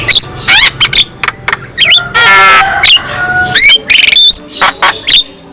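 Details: Black-winged myna singing, said to make other black-winged mynas sing and get agitated on hearing it; loud harsh squawks, buzzy bursts and rising whistled notes in quick succession, with one long raspy rattling phrase.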